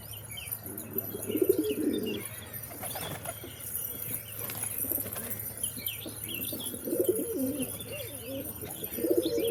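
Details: Pigeons cooing in low rumbling phrases early and late, with flapping wings and busy high chirping of small birds in between.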